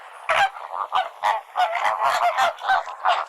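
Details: Flamingo flock calling: overlapping nasal, goose-like honks, short and harsh, several per second in a busy chatter with no pauses.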